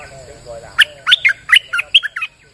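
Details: Bulbul singing on a rainy day, used as a lure sound: after soft low warbling, a loud burst of about eight quick, bright chirping notes with upward and downward slurs, each under a quarter second, delivered in rapid succession.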